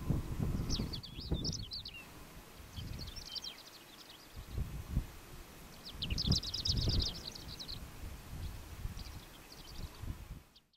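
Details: Greater short-toed lark (Calandrella b. brachydactyla) in Doñana National Park, Spain, in April, giving short bursts of dry, high chirping twitters, about four phrases a few seconds apart, over steady low wind rumble.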